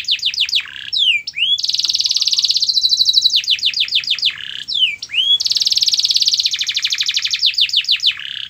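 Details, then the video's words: Canary song used to stir a quiet canary into singing: series of swooping downslurred whistles, then long fast rolling trills, the pattern repeating twice with brief upswept notes between. "Kenari Anda MALAS BUNYI, Coba Putar Video Ini !!!"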